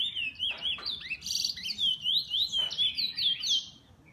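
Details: Owned bullfinch in full song, a quick chain of high swooping whistles with a harsh buzzy burst in the middle, then more looping slurred notes fading away.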